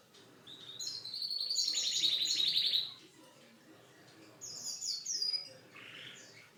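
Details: Canary's unique song: a rising whistle leading into a loud fast rattling trill for about two seconds, followed after a pause by softer quick chirps.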